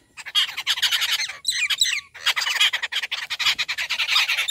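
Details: Wild rufous treepie at a home feeding in the morning, giving dense grating chatter. A brief series of clearer, twisting whistled notes breaks in midway, then the rapid scratchy squawks resume and continue to the end.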